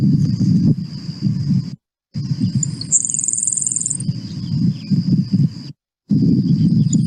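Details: A Grasshopper Sparrow song: very high, quiet opening notes ("doot-doot") barely showing before a thin insect-like buzz of about a second, over steady low wind rumble and a constant high hiss.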